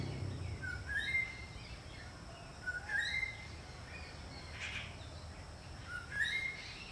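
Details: Greater racket-tailed drongo, a bird known to mimic other birds, giving short whistled notes that slur upward, in phrases repeated roughly every two to three seconds, over steady outdoor background noise.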